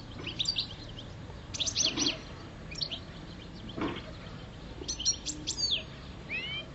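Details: Five-year-old caged European goldfinch of subspecies parva singing in mating season: bursts of bright, tinkling twittered notes and quick rising chirps come in short clusters separated by pauses, over a soft background hiss.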